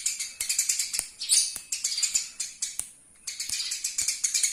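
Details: High, rapid chirping of Eurasian tree sparrow from a local master recording for training birds, delivered in dense bursts with one clear silent gap midway.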